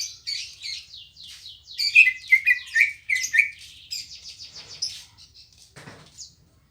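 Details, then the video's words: Green leafbird, known as cucak ijo, singing at a home: rapid, varied high chirps and whistled slurs tumbling one after another for about five seconds, loudest in the middle, ending with a brief clatter. "Suara Burung Cucak Ijo Gacor Apik Merdu"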